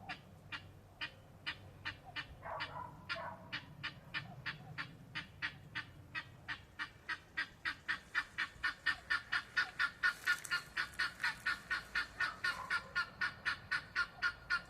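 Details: Helmeted guineafowl (Numida meleagris) at 14 weeks old give harsh, rapid clicking calls that speed up and grow louder, repeated about twice a second.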